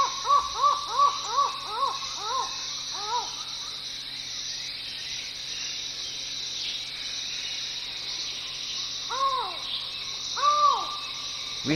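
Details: From deep in the Chan Chich jungle forest of Belize, a collared forest falcon gives a fast run of about ten hollow arched notes, then falls silent, then gives two more spaced calls; insects hum steadily throughout.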